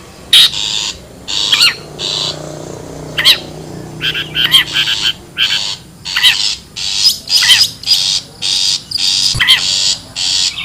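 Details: Long-tailed shrike in the wild, recorded as a lure to gather birds: a long, steady series of rasping, scratchy bursts with occasional sharp chevron-shaped squeaks, nearly continuous over ten seconds.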